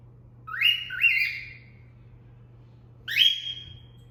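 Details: Owner-taught cat-call whistle of a female cockatiel kept as a pet: one two-note phrase of rising, ringing slides, then after a pause a single upward-swept whistle that holds level, over a low constant hum.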